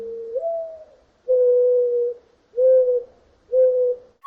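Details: In spring, in a hummingbird garden at the top of a park, a mourning dove gives its low, soft, hollow coo: a slightly rising first note, then three long, steady coos about a second apart.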